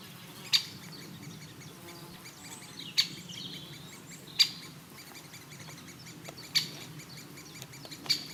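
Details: Great spotted woodpecker in Elatia Forest, Greece, giving single sharp, high "kik" notes spaced about two seconds apart, five in all, over soft forest background noise.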